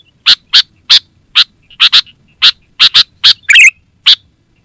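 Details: Sooty-headed bulbul calling for lure and training use: crisp harsh chip notes, single or paired, roughly every half second, with one bubbly gurgling phrase near the end over a faint steady high tone.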